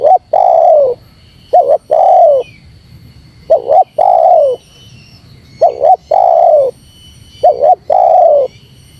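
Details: Spotted dove call pressing wild rivals, with steady repeated phrases of a short double note into a long, hoarse, dropping coo, four to five cycles, and a soft background whine.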